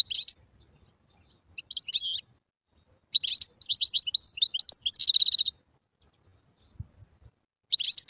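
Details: Wild European goldfinch singing: bursts of bright, rapid twittering and tinkling notes with a short buzzy trill, separated by pauses, in otherwise quiet surroundings.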